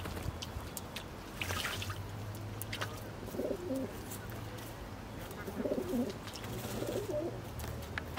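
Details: Domestic pigeon (Columba livia domestica) at Špica, Ljubljana, on 29 August 2023, gives soft, low, throaty coos in three short rolling bursts over a steady low hum and scattered clicks.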